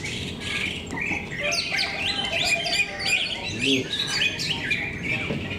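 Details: Greater green leafbirds singing at a bird-song competition at KDP BC Arena, Cikeas: dense, overlapping high whistled and chattering phrases, many rapid slurred notes jumbled together without pause, with faint low crowd murmur beneath.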